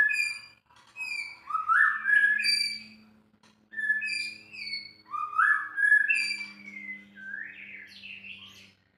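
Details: White-rumped shama singing rich, fluid whistled phrases with rising slurred notes and bright upper tones, repeated in bursts separated by brief pauses; a low steady hum runs beneath.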